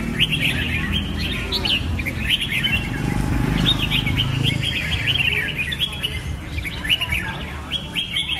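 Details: Red-whiskered bulbul singing: dense, overlapping bursts of bright chirps and short whistled notes, many rising and falling, in a nearly continuous chatter with steady low rumble underneath.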